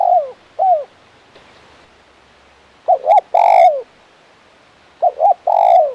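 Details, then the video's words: Spotted dove, a lively champion-quality decoy bird with a crisp "kuk 1" voice, giving short downslurred coos, then two phrases of a quick double note running into a long, rich, falling coo. Background is quiet. "Suara Burung Tekukur Gacor KUK 1 Mersik Jagonya"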